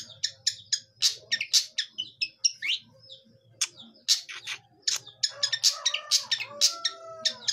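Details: Young long-tailed shrike learning to sing: a dense, rambling run of harsh, scratchy bursts and quick high chirps in irregular clusters, with a few clearer whistled notes near the end.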